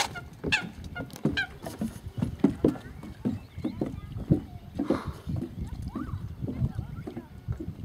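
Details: A Eurasian coot gives short, abrupt popping and clicking calls at an irregular pace, with a few higher squeaky calls, over the sound of sloshing water.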